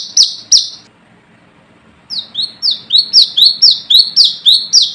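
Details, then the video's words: Brown-throated sunbird calling to rivals, a lure sound: two loud high notes, a second-long pause, then a fast series of shrill rising-and-falling chips, several per second. "Manggaran Ngalas Gacor"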